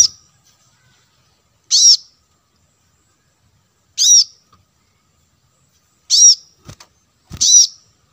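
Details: Kolibri kelapa, the plain-throated sunbird, used as wild-bird lure sound: four high, harsh, down-curving notes at uneven gaps, with two faint low knocks near the end.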